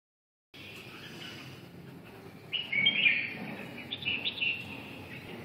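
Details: Red-whiskered bulbul (chào mào) singing; after brief silence and low background hiss, short warbled, slurred phrases start midway, loudest around the third second, followed by a few quieter chirped notes.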